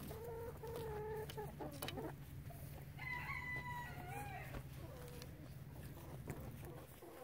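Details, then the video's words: Soothing flock of chickens, no loud crowing, making soft drawn-out clucks and a higher wavering call around three seconds, with a steady low hum behind. "SOOTHING CHICKEN SIGHTS AND SOUNDS"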